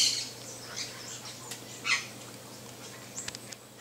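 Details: A saffron finch (Sicalis flaveola) sings: scattered high, chirpy notes at an uneven pace, with one louder sweeping chirp near the middle, over a faint steady low hum.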